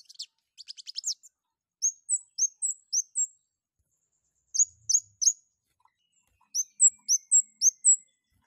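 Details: Long-tailed shrike in strong breeding condition: an opening fast ticking stutter, then a series of piercing high chirps that flick downward. They come in runs of four to six with short gaps.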